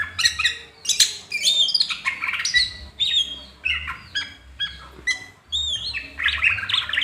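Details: Excited Greater green leafbird song while fanning its tail: loud chattering squawks and high bending whistles in rapid, overlapping phrases, separated by short gaps, with a faint low hum in the background.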